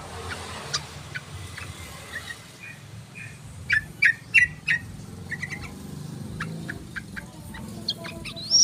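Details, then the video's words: Yellow-vented bulbul calling as a lure to attract other birds: a burst of four loud, harsh chattering notes mid-sequence, surrounded by fainter scattered chirps and light background noise. "PANCINGAN SUARA BURUNG TRUCUKAN"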